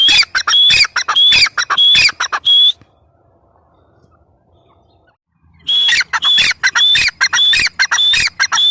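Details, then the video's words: Grey francolin (teetar) calling in bursts: nearly three seconds of harsh, rapid, ringing notes, a silent gap of about three seconds, then the same fast scratchy chant resumes strongly. "Teetar sound | teetar voice | gray francolin teetar sound | dakhni teetar voice | teetar ki awaaz"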